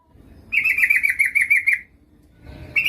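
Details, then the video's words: Lure call of a female yellow-vented bulbul summoning a male: one steady rippling chatter of about ten rapid notes lasting over a second, followed by quiet and the start of another burst. "Suara burung trucuk gacor memanggil lawan pancingan trucukan betina memanggil jantan agar bunyi"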